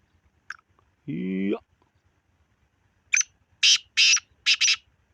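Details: Black francolin (kala teetar) giving a harsh, grating burst of four rasping notes, the last two close together, after a single drawn-out tonal sound; quiet setting with faint low ticking.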